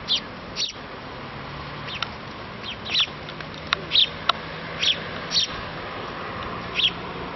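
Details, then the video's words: House sparrow chick begging its parents for food before being fed: sharp, high chirps repeated in irregular bursts about once a second, over a steady background hiss. "Птенец воробья выпрашивает еду (Feeding of a small sparrow)"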